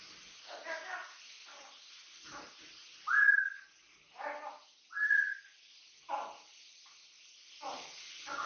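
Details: Pet Amazon parrot, three years old and captive-bred, mixing gravelly speech-like mutters with two clear, loud whistled notes that sweep slightly upward, followed by more scattered short chattering syllables in a quiet room.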